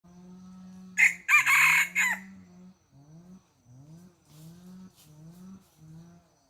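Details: Chicken on a farm: a loud, harsh, strained rooster crow lasting about a second, followed by a series of lower, rising, nasal calls repeated roughly every half second.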